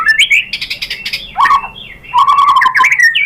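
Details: White-rumped shama (murai batu) singing to provoke other shamas: rich whistled phrases with rising and falling slurs, a few dry chattering notes and a held low whistle.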